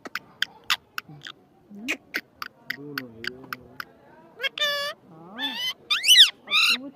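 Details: Talking parrot producing a scatter of sharp clicks and short bursts, a low wavering voice-like murmur, then several strong warbling, rising-and-falling harmonic cries toward the end.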